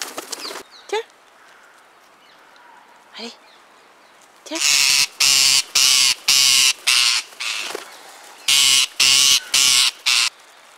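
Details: Rose-ringed parakeets coming to feeders and eating from a hand, crying a lot: a run of loud, harsh, rasping squawks repeated roughly twice a second after scattered short calls, with a woman's voice speaking nearby.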